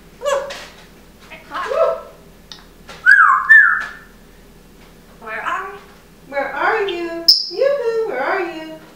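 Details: Pet African grey parrot indoors, telling its owner the pine nuts are all gone: a run of short speech-like phrases with rising and falling tones, one bright whistled note near the middle, in a quiet small room.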